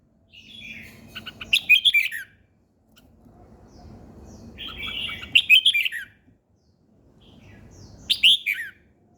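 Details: Morning birdsong in three separated bursts, each a quick cluster of bright, sharply falling chirps lasting under a second, with a soft low hum and rustle between phrases.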